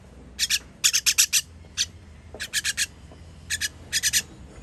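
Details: Chicks begging during feeding, dated 21 June 2023: groups of sharp, scratchy rasps, four or five at a time, broken by short quiet gaps.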